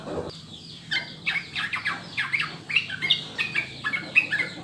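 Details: Sooty-headed bulbul (trucukan) song used as a master recording to prompt caged birds to sing: a lively run of short bubbly whistled notes and chirps, sharp and rising-falling, over a faint low hum.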